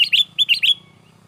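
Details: Sooty-headed bulbul singing in an excited, agitated manner, used as a lure for trapping: about five quick paired chirps, each a high note sliding into a lower one, packed into under a second, then quiet.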